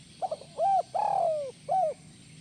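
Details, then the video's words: Spotted dove giving a kuk 1 call with a rising, soaring finish: a few quick soft notes, then a short coo, a long drawn-out coo falling slowly in pitch, and a final short coo, over faint low hum. "SUARA BURUNG TEKUKUR IDAMAN KUK 1 MELAMBUNG"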